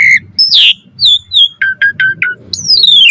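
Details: Asian pied starling singing to train other starlings: a whistle, a harsh squawk, clear slurred notes, a quick series of four clipped chirps and a long descending whistle, over faint low background noise.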